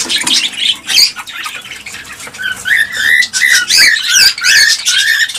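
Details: Cockatiels in captivity, sound used to encourage breeding: harsh squawks early, then a series of whistled warbling notes, several birds overlapping.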